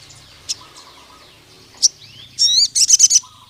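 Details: Forest-type crimson sunbird calling out a rival male: a few isolated high chips and an upward-sliding whistle, then a fast burst of piercing high trilled notes; faint low whistling from another bird.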